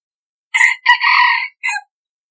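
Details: Hybrid red junglefowl cockerel used as a decoy, crowing once in three parts: a short rasping lead-in, a sustained harsh middle and a clipped falling tail, against silence.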